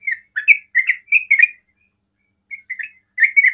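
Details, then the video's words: Sooty-headed bulbul in 'ropel' rapid song that sets other bulbuls calling. Quick run of slurred chirps, a silent second, then a soft phrase and a fresh burst of chattering notes. "TRUCUKAN ROPEL PANDAI BIKIN TRUCUKAN LAIN TERPANCING BUNYI"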